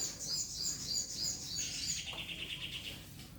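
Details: Oriental magpie-robin song meant to provoke a rival to fight and to stir silent birds into singing: a series of high sharp notes repeated about three times a second, then a lower buzzy trill, over steady background hiss.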